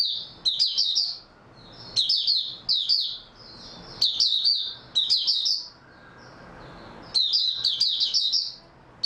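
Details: Oriental white-eye singing on 03/03/2022 after a good night's sleep: about five quick phrases of sharp, high-pitched chirps and twitters, each lasting roughly a second, with short silent gaps between them and no other clear sounds.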